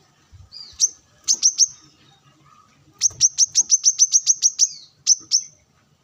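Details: Brown-throated sunbird, kolibri kelapa, singing during sunning to summon rivals among wild birds; isolated high chips and a quick triplet lead into a run of about ten shrill notes, closing with a pair.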